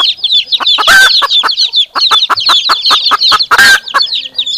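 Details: A hen clucking to her chicks while they reply. Soft, short clucks repeat regularly beneath constant high peeping, and two louder harsh notes stand out.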